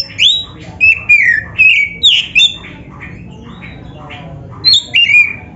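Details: Oriental magpie-robin, black-breasted form, in full loud song for training kept birds: strong whistled and slurred notes in a rapid run, a softer pause with faint notes, then a renewed burst, over a low hum.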